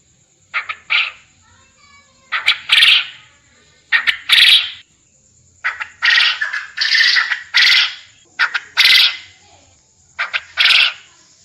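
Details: Quail call recording used as mastering audio to make quail call vigorously for contests: harsh, raspy bursts in short clusters of two or three, separated by brief pauses, with a faint steady high tone running throughout.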